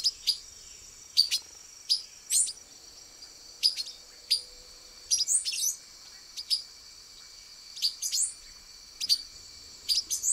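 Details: Male Silver-beaked Tanager (Ramphocelus carbo), camouflaged among branches, giving sharp, high metallic chip notes, single or in quick pairs, about every second, over a faint steady insect hum.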